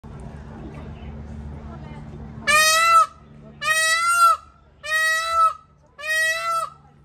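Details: Indian peafowl at a zoo: after a few seconds of low background murmur, four loud, harsh, nasal wailing calls ring out, each about half a second long and spaced roughly a second apart.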